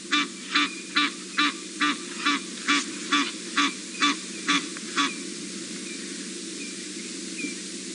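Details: Egyptian geese alarm calling at a leopard near a dam in Sabi Sand, South Africa, Aug 14, 2017: about eleven harsh, rasping honks in five seconds, then quiet, over a low steady engine hum.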